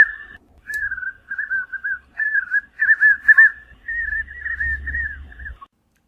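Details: Spot-backed Puffbird from Brazil's Cerrado calling in a run of wavering, reedy whistled notes, grouped into short rapid phrases that grow more excited before trailing off. Light low background hum.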